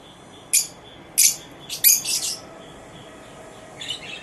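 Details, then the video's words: Lovebirds at dawn on November 19, 2023, singing together. A handful of short, shrill chirps and squeaks come in small bursts between quieter pauses, with one softer double chirp at the end. "Love birds sing together at dawn"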